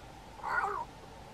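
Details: Cape crow (Corvus capensis) calling from a treetop, bowing and puffing its throat with each call, gives one harsh, nasal, mid-pitched caw of about half a second against a quiet background.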